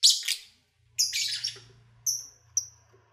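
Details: Pet lovebirds singing and playing while eating, recorded in February 2019: harsh high chirps and buzzy squawks in short bursts, then two thin whistled notes, over a faint low hum.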